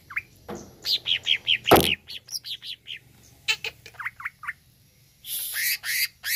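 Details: Greater green leafbird song played to provoke a kept bird: varied whistled and chirping notes in quick bursts, with a loud broadband squawk and later harsh noisy bursts.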